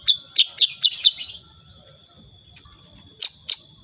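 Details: A sooty-headed bulbul sings energetically ('gacor'), firing off a rapid burst of six sharp, bright chirps with a slight buzz. After a pause come two more isolated chirps, over a thin steady background whine.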